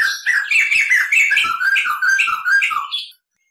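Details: Clear rolling song of a white-crested laughingthrush used as tutor recording: an unbroken three-second run of rapid, rich, chattering whistled notes ending abruptly.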